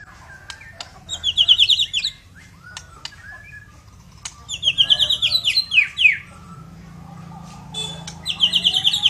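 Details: White-rumped shama of the Murai Batu Medan type in full, lively song: bursts of fast, bright trilled high notes in phrases of about a second, with sharp clicks and short slurred whistles between phrases, over a low steady hum.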